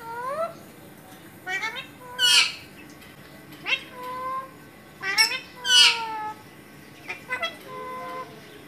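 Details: A pet Alexandrine parakeet talks in clipped, word-like syllables with clear harmonic bands, some gliding downward, delivered in short groups with brief silences between them and nothing else audible.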